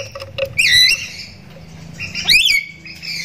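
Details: Javan myna calling as a lure to prompt non-calling mynas to join in: two loud, rough swooping shrieks about two seconds apart, with faint clicks and low background hum.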